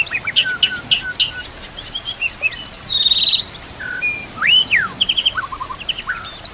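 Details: White-rumped shama song with nature sounds and trickling water, used to train other shamas: rich varied whistles, sweeping slurs, short trills and rapid chattering phrases over a steady hiss of flowing water.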